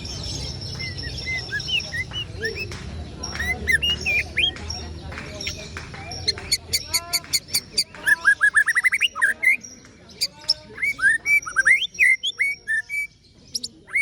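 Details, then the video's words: White-rumped shama singing in the ciung wanara style: quiet scattered chirps build into a loud, rapid run of sharp clicking notes and whistled phrases, with a low rumble underneath. "ocehan CIUNG WANARA murai batu anti galau😂"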